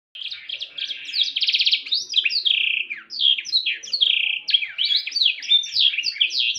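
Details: Canary singing in the rich, ornamented 'cengkok mewah' style: a continuous clean warble of quick sliding notes, a brief fast buzzy trill, and rolling repeated phrases, with no other sounds.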